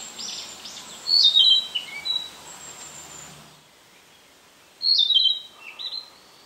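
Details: Narcissus flycatcher captured with an Olympus PEN mini E-PM2: two short bursts of bright, high whistled notes stepping downward, separated by about three seconds of quiet, with a faint high hiss early on.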